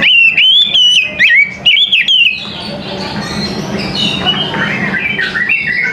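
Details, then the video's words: Oriental magpie-robin singing in the morning: loud, clear whistled phrases that slur up and down, about two seconds of rapid notes, then a busy chorus of fainter chirps and a steady low hum. "TERAPI KACER PAGI HARI"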